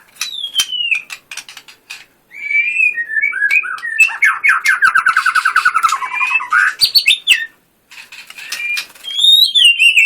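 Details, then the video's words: White-rumped shama singing 'tembakan' style, contest winner: scattered falling whistles and clicks, then a long rapid rattling trill, a pause, and bright descending whistles. "Murai batu gacor full tembakan"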